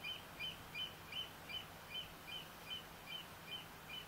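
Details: Eurasian oystercatcher calling on 6–7 July 2014: shrill, piping notes at a steady pace of about two or three per second, over a soft constant background hiss.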